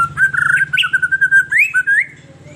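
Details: White-rumped shama singing as a lure for captive birds: a long sustained fluty whistle with rapid warbling pulses, then two smooth rising slurred notes, over a low droning hum.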